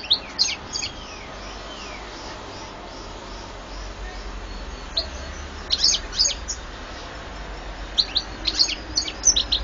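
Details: European goldfinch singing, recorded in 2014: scattered bursts of high, rapid twittering notes with short slurred whistles, separated by long quiet gaps, over a steady low hum.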